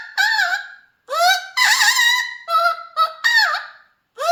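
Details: A pet Mealy amazon (Amazona farinosa) singing: loud, harsh, harmonic-rich squawks and nasal rising-falling notes in a string of about seven bursts with short pauses between.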